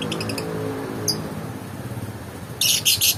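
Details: A lovebird lets out three loud, rasping screech bursts in quick succession after a quieter start of faint ticking chirps and one brief high squeak, with a low steady hum underneath.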